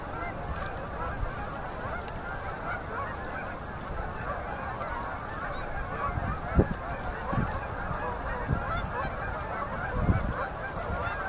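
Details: Huge flocks of fall-migrating Canada geese flying in to land on a river at sunset in Manitoba, Canada, in October 2018; a dense, continuous chorus of overlapping honks with occasional louder nearby calls.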